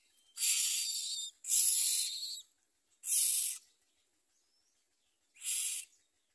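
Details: Common myna nestlings with their mother at the nest, eating little and trying to bite her, give four loud, noisy, screechy rasps, the first two close together, then one more and a long pause before the last.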